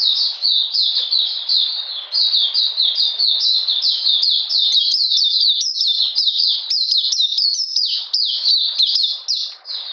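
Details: Oriental magpie-robin in cold wet weather, June 2020, pouring out a sustained series of high, bright whistles, each falling in pitch, about four a second, steady and loud from start to finish.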